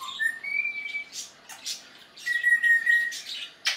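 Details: Indoor pet African grey parrot, May 2019, gives clear steady whistles: a short rising whistle, a longer flat one, a pause with soft breathy sounds, then another long level whistle.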